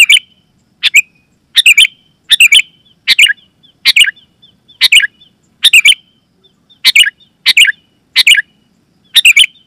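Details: Sooty-headed bulbul calls, loud and clear, aimed at making other bulbuls respond: rapid clusters of two to three bright chirps repeated nearly every second, with faint thin whistles trailing between them.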